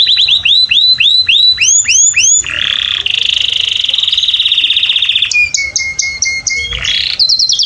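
A canary sings a loud, varied song: rapid rising chirps, then a long rolling trill, a steady buzzy tour and more quick notes, all high-pitched.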